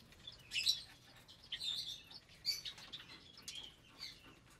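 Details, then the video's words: Caged breeding lovebirds of mixed colour mutations, about 25 birds, at feeding time: quieter scattered high chirps and squeaks with some wing flutter, over a noisy background. "Lovebird Meal Time"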